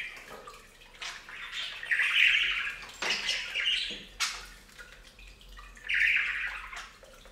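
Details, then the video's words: Budgerigars bathing at a fountain give a few buzzy, rasping warbles in separate bursts, with quieter stretches between them, over a low hum and light dripping water. "Best Budgie Bath EVER! + Budgie sounds"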